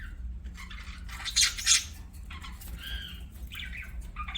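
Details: Quieter budgerigar chirping: scattered short squeaks and brief whistled notes, two sharp louder chirps near one and a half seconds, then sparse gliding tweets over soft background hiss.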